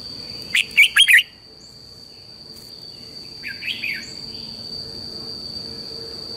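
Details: Red-whiskered bulbul lure song for morning training: one loud burst of quick, bright chirps at the start, then a softer warbled phrase, with a steady high whine and quiet background hiss.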